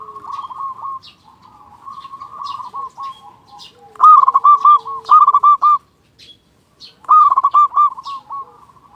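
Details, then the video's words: Local zebra dove song meant to rouse silent or stressed doves: loud strings of quick stuttering coos at intervals, with softer murmured cooing between the bursts and a brief pause before the last phrase. "Perkutut Lokal Gacor Suara Besar Pancingan Burung Perkutut Agar Cepat Bunyi"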